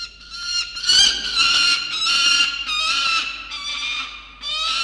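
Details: Cockatoos visiting a sea-eagle nest in Australia on 18 December 2022 give harsh, raspy screeches in quick bursts, roughly one or two each second, over a steady high-pitched drone in the background.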